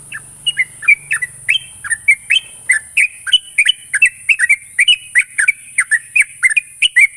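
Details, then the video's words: Lure song of a sooty-headed bulbul, meant to prompt a raw young bird into fast continuous singing. A long run of short chirpy whistles repeats steadily, joined by a faint low hum early on and a steady hiss. "pancingan burung trucuk bahan agar cepat ngropel"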